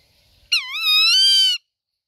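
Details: Rufous-winged buzzard giving a single loud, harmonic mewing call lasting about a second. It starts abruptly, dips, then rises and holds steady before cutting off, in otherwise quiet surroundings.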